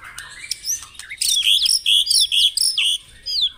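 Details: Morning dew-exposure recording of white-rumped shama song aimed at getting caged birds singing: soft scattered notes, then loud, evenly spaced high whistled phrases with buzzy overtones repeated about twice a second.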